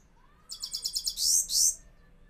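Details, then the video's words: Caged Himalayan goldfinch gives a lively high song of about seven quick repeated chirps followed by two drawn-out buzzy, wheezy notes, then silence. "Mast gold finch singing sounds | Himalayan Gold Finch in cage Top songs sounds"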